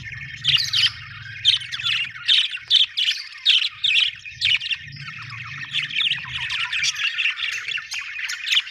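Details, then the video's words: Budgerigar chirping in an even rhythm, short sharp squeaky notes repeated about twice a second over a continuous scratchy warble, with a low hum in the first half. "Australian beautiful birds sound 😍 budgie chirping sound 🥰"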